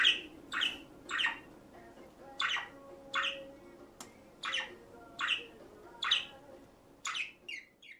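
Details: A captive budgerigar hen in breeding mood gives loud, harsh squawking calls, repeated about every half second to second.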